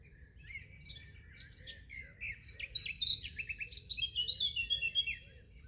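A Eurasian blackcap sings a fast, rich warble of varied whistled and scratchy notes, copying phrases of a nightingale, over a low background rumble.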